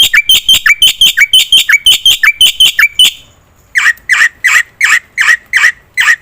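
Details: Black-winged myna singing persistently, used to lure other birds into song: rapid paired whistle-and-chip notes about four per second, a short pause, then evenly spaced harsh squawks.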